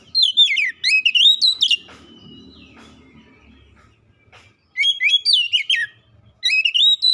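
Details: Oriental magpie-robin song meant to lure silent birds into singing: bursts of loud, sharp whistles and sweeping slurred notes, separated by a quiet stretch of a few seconds with faint background sounds.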